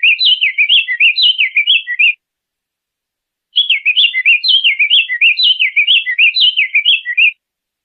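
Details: Two lively song phrases from a diademed tanager, each a chattering chain of high, slurred whistles rising and falling quickly. The first runs about two seconds, the second nearly four after a short gap.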